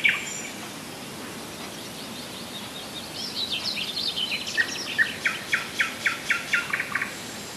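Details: Common nightingale singing at Rassudovo, about forty kilometres from Moscow, in July 2011: scattered high chirps give way to a run of loud, evenly spaced notes, repeated roughly five times a second, over faint rural background noise.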